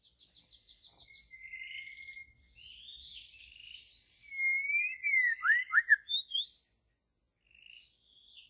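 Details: Wild white-rumped shama from deep jungle forest giving a rich varied song: rapid ticking trill, buzzy warbles, then loud clear whistled slurs sweeping down, ending in softer high notes.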